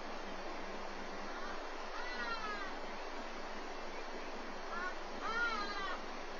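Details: Black eagle nest in Walter Sisulu Botanical Garden, caught on webcam while the chick is fed breakfast: two quiet, harmonic, whining cries about three seconds apart, partly masked by continuous broadband hiss.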